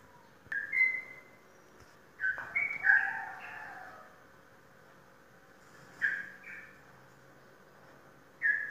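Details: Prize-winning caged sooty-headed bulbul from Indonesian song contests, giving brief liquid, slurred whistled phrases in separate bursts every couple of seconds, with quiet gaps between.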